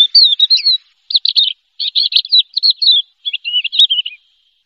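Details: Champion contest Javan bush lark singing short bursts of quick twittering notes and slurred whistles, each group lasting under a second, with clear pauses between them.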